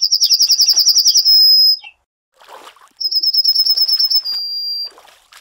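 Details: Two songs from a Yellowhammer (Emberiza citrinella), each a rapid series of sharp, high repeated notes that finishes in a sustained whistle-like tone, about three seconds apart.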